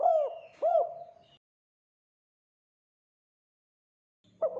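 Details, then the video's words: Spotted dove in full cooing, played as a lure for other doves: two mellow arched coo notes, a long silence, then another coo begins, with faint low hum. "Suara Tekukur Gacor Buat Pancingan"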